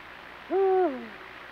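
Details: During nightly pairing in its territory, a Eurasian eagle-owl gives one low hoot. The note is level and resonant, then drops away at the end. No other sounds are heard.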